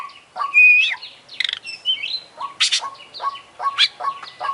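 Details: Singing champion Oriental magpie-robin with full isian: a clear pure whistle, then a jumble of varied twisting phrases broken by two short, buzzy, rasping bursts.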